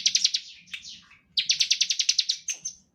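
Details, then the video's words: Bar-winged prinia singing as a lure to draw song from other birds: a quick run of sharp, high ticking notes, a brief slurred dip, then a second fast rattling burst. "Ciblek gacor ngebren standar - Pancingan untuk ciblek || CHIRPING SOUND ||"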